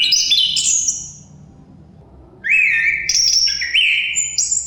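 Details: Chestnut-capped thrush song accompanied by wind: a short, high whistled flourish, a pause of over a second, then an upslurred whistle that leads into a lively run of varied high notes.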